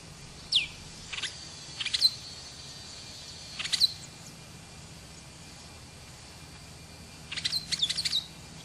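Brown-and-yellow marshbird giving sharp, high chirps, some single and some in quick bursts of three or four, with irregular pauses over a soft rural background.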